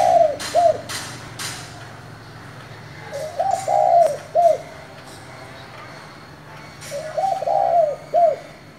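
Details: Spotted dove with the 'giọng thổ' voice calling to excite newly caught doves. Deep, mellow coo phrases, each a rising warble and a detached final note, repeat about every four seconds, with a few sharp clicks between.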